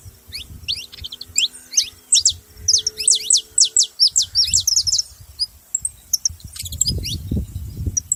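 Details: Saffron finch song: a rapid series of high, sweeping chirps that speeds into a dense run, then thins into faint scattered notes, with low background noise near the end.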